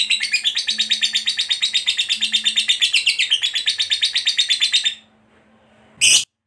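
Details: Pet lovebird of the fighter type giving its long 'ngekek panjang' chatter: a fast, steady run of harsh high chirps, about three per second, lasting five seconds, then a pause and one short loud burst; faint low hum beneath.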